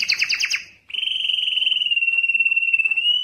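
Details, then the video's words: Canary song for attracting a mate before breeding: a quick burst of harsh rattling notes, a brief pause, then a long, sustained, finely pulsing whistled trill that dips slightly and rises at the end. "canary singing is very strong and long to attract females for mating and breeding"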